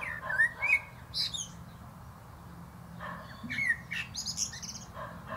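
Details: Atop a plum tree a common blackbird delivers two fluted whistled phrases, each trailed by high squeaky twittering, separated by a pause; low background hum and faint other bird notes.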